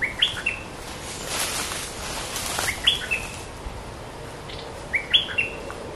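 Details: Scarlet-backed flowerpecker singing while pairing and building a nest: short bright phrases of thin, high, chirping notes sweeping upward, repeated about every two to three seconds over a soft background hiss.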